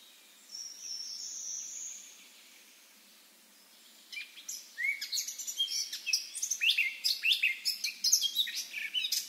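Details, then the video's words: Wild Eurasian blackcap: a faint thin note first, then after a few seconds a fast, scratchy, twittering warble of many short notes. "chant & cri de la fauvette à tête noire HD - song & call eurasian blackcap"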